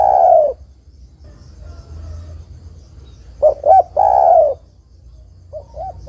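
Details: Spotted dove song used as a lure for catching other doves: long falling coo, a pause, then two hooked notes and another extended coo, with a faint high steady tone.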